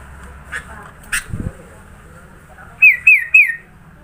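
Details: Sooty-headed bulbul from Sidoarjo, East Java, singing a varied filler song: after a few soft knocks, three loud, clear whistled notes, each dipping then rising, repeated about every third of a second.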